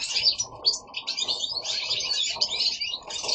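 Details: Goldfinches singing indoors at home: a rapid, liquid twittering of high jangling notes in quick phrases, nearly continuous with brief gaps.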